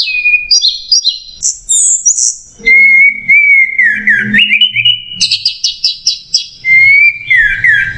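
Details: Orange-headed thrush 'macet jernih' masteran song, nonstop and clear: high tangled twitters, then a long steady whistle that dips and rises, a quick stuttering burst of high notes, and another sustained whistle.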